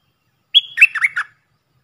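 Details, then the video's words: Puff-throated bulbul decoy call for training young birds: a sharp whistle held briefly, then three rapid buzzy notes sliding downward, in a single clean phrase. "เสียงต่อนกดอกแตงEp.114เสียงสำหรับหัดลูกเสอ/ลูกป้อน!!Birds sounds"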